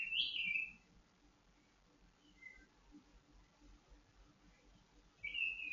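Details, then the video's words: White-rumped shama (murai batu), a kept songbird set out for pengembunan, a dew-exposure routine meant to steady its temperament and breeding condition. It gives a bright, slurred whistled phrase, then near silence, then another short whistled phrase. "Pengembunan burung murai batu agar stabil emosi dan birahi nya"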